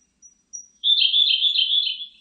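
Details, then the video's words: Siberian blue robin delivering its song. Brief, thin, very high lead-in notes are followed by a strong, rapid, chattering trill at a steady pitch for over a second, then a soft tail. No background noise. "쇠유리새, 여러번 듣기, 곤충소리, 새소리"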